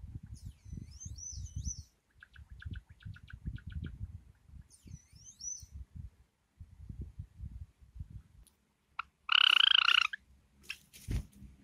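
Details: Two pet Java sparrows, a light silver ino and a sakura bird, give high thin whistled sweeps, then a short run of repeated notes, another swept whistle, and a loud harsh burst near the end, over soft indoor thumps and rustling.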